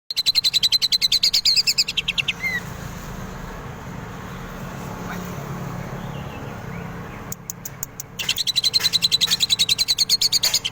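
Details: Greater green leafbird singing actively, its song filled with kingfisher imitations: rapid, evenly pulsed high trills with buzzy repeated notes for about two seconds, then a long quiet stretch with background hum, then the fast trilling resumes.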